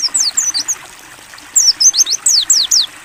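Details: Ngalas-style song of a mountain white-eye, clear and open-beaked, meant as a training model: two brisk strings of high, sliding, downward whistles separated by a short quiet gap, gentle water sound beneath.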